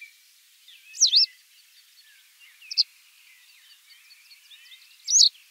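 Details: Masked wagtail, known in Kyrgyz as zhylkychy chymchyk, giving three short, sharp, high chirps with squiggled, twisting notes, spaced about two seconds apart over faint background noise.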